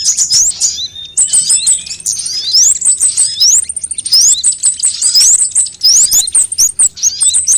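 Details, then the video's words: Several sunbird types on a lure track to make birds sing: high, thin twittering with repeated rising whistled slurs, a run of rapid even ticks near the middle, and lively chattering to the end. "suara pikat semua jenis burung kolibri"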